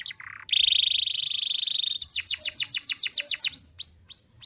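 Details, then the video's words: Canary song with sharp bursts, meant to teach young canaries: a brief low buzz, a long sustained buzzy trill, then a rapid series of loud rising sweeps slowing toward the end. "KENARI GACOR NEMBAK TAJAM , DURASI PANJANG SATU NAFAS"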